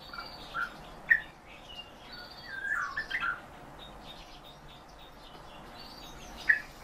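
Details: European bee-eaters (Merops apiaster), kept birds, give short, liquid rolling notes: single calls, then a quick cluster of several, and one more after a pause, over a soft steady hiss.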